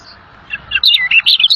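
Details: Rare bird called little fellow, lively song used as tutor material for pet songbirds: after half a second of quiet, quick high chirped notes rise and fall in a rapid chattering run.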